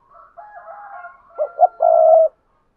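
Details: Decoy spotted dove calling to draw in wild doves. Soft, low murmured notes lead into two quick hooting coos and a long, strong, vibrating final note.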